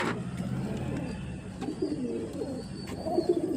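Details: Several domestic pigeons, homing pigeons and Karna pigeons, males and females, coo together in a loft cage in low, rolling, throaty murmurs that overlap steadily over a faint background hum.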